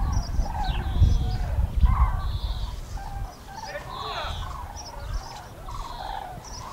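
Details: A flock of common cranes passes overhead the Eifel, Germany, on 6 March 2018, giving loud rolling trumpeting calls that overlap from many birds, over a steady low rumble of wind.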